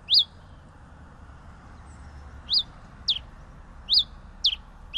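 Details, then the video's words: Pileated finch song of bright high chirping notes, each sliding sharply downward, spaced unevenly about a second apart, against quiet hiss. "Canto del Granero Cabecita de Fósforo"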